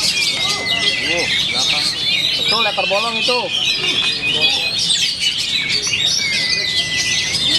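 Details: Caged Oriental magpie-robin (kacer) of the Black Cobra type, a first-place contest champion, singing a dense stream of shrill chirps, trills and drawn-out whistles, with a man talking loudly over it throughout.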